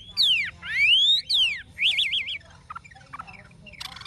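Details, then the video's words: Adult wild-caught Chinese hwamei, caged, singing forest-style: three loud, sweeping whistles falling and rising, then a quick wavering trill, followed by softer scattered notes and a final high rattle. "Họa mi già rừng chuẩn giọng rừng hay"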